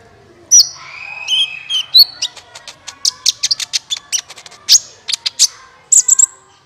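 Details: Trapping-lure recording of a sunbird, locally kolibri ninja. A slurred whistle opens, then a fast chattering string of high, thin chips and ticks runs steadily, with a few louder piercing notes.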